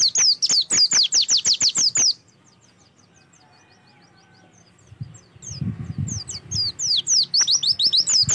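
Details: Oriental white-eye song used to prompt another bird to sing: a quick string of high descending whistles, a quiet gap with faint twittering and low rustling noise, then another rapid run.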